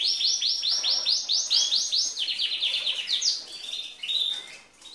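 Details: Green female canary that sings like a male and stimulates males. A rhythmic chain of arched high notes, then a lower buzzy trill, fading with a few softer whistled notes.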